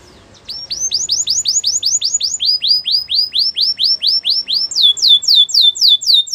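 A Belgian canary sings rapid tours of bright, downslurred whistled notes, about four per second, shifting through three repeated phrases in a quiet room.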